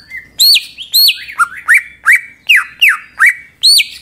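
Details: A greater green leafbird sings loud, ringing whistles: rapid rising and falling sweeps, about eight phrases in four seconds, bright and high-pitched over a quiet background; used to provoke other leafbirds into singing.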